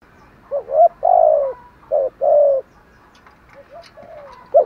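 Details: Spotted dove, a lure bird calling in the Vietnamese trained style to provoke wild doves: short low cooing phrases, two quick notes then longer drawn coos, followed by fainter softer coos from a second dove in the background.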